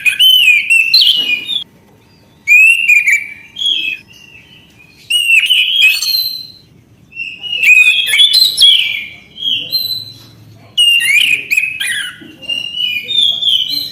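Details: Long sequence of Orange-headed thrush song: about six phrases of whistled warbles and quick slurred notes, each lasting one to two seconds, with short silences between.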